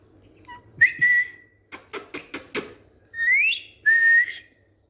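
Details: Indian green ringneck parakeet whistling while on a bed: a clear sustained whistle, a series of five sharp tapping knocks, then a rising whistle and a final level whistled note.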